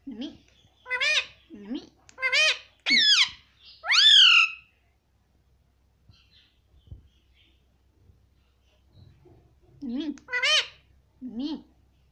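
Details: Talking pet Indian ringneck parakeet repeating "mummy": a quick run of high, nasal syllables for about four seconds, a long quiet pause, then a few more word-like calls near the end, indoors.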